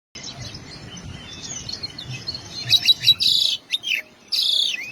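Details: Oriental magpie-robin (kacer/koci) singing its full 'isian' song of fill-in phrases: thin high whistles at first, then loud, rapid bursts of sharp chirps and scratchy notes from mid-clip, with short pauses between phrases.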